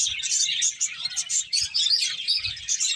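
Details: Short burst of finches chirping as they eat; rapid high-pitched tweets tumble over each other, with a few soft low knocks in the background.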